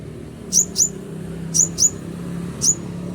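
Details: Genuine konin (Scarlet-headed Flowerpecker) calling, as used for luring wild birds: piercing high tsip notes in close doublets, two pairs and then a single note, above a steady low rumble.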